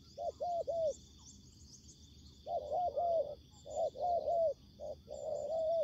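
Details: Spotted dove used as a ground decoy facing aggressive wild doves: runs of triple coos, short-short-long, with a pause midway, plus faint high chirps of other birds and a thin steady high tone.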